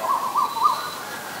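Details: Asian koel, male and female pair named; three short arched whistled notes near one pitch follow each other quickly within under a second, then fade, over faint steady background hiss.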